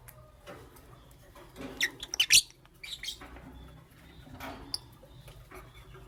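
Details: Lovebirds, green Fischeri and pastel blue, chirping in the morning: a short run of sharp, scratchy high chirps in the middle, then softer scattered squeaks over faint low background hum.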